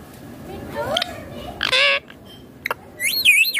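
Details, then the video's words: Green Indian ringneck parrot making soft chattering sounds, then a short harsh squawk, a click, and a wavering screech at the end. "Indian Ringneck Green Parrot Natural sounds/Voices || Baat karne wala tota"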